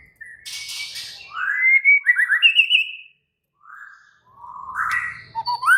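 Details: Agitated, excited white-rumped shama song: sliding whistles rising into a rapid run of warbled notes, a brief pause, then another rising whistled phrase.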